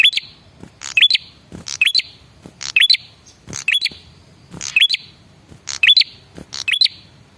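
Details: Lure call of a male red-headed prinia to get other birds calling back: bright high rising chirps mixed with dry ticks, in quick groups roughly every second.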